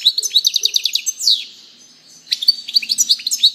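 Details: European goldfinch delivering a quick string of bright, evenly spaced high notes and a slurred buzzy note, then another run of rapid twittering after a short gap.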